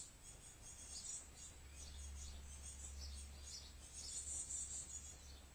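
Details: Fledgling great tits, still fed by their parents, out with the adults at a year-round feeder on a day of heavy rain; thin, very high chirps repeated rapidly in clusters over a steady low hum and soft background hiss.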